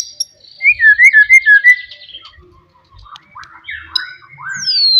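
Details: Wild forest white-rumped shama, loud song to provoke rivals: a row of slurred whistled notes, then scattered quieter chirps and a final descending high whistle.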